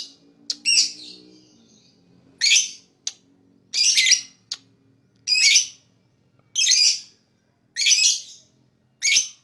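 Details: Lovebird calling, said to attract other birds: harsh, grating high chirps repeated every second or so, broad and rasping, with a few short sharp ticks between them.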